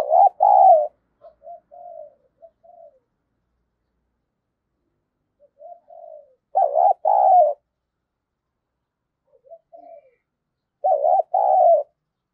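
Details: Decoy spotted dove calling to draw in wild birds. Loud two-part coo phrases, a rolling coo then a longer falling one, alternate with quieter strings of short, soft coos, repeating roughly every five seconds.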